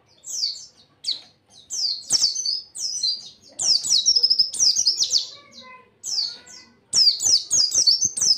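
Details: White-eye song meant as masteran for training other birds: busy sequences of high sharp slurred chirps with a short trill in the middle and faint lower whistled tones, ending in quick clustered notes.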